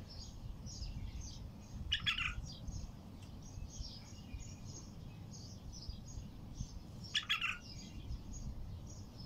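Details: Bulbul with a heavy, deep-throated voice singing in nature, its song including the phrases called madawir: two short, bright warbled bursts about five seconds apart over steady low rumbling background noise.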